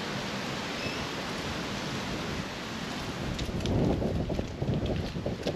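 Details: Rushing wind buffeting the microphone over a surf-like roar that swells near the end, with no calls.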